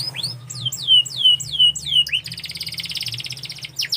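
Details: Canary singing a string of loud, falling slurred whistles about two per second, then a fast even rattling trill and a final rising note; soft low hum behind.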